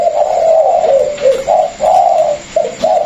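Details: Caged Vietnamese spotted dove, one of a pair including a former decoy bird and a newly caught wild bird, cooing loudly: a series of mellow, low hooting notes in steady phrases with brief pauses, indoors.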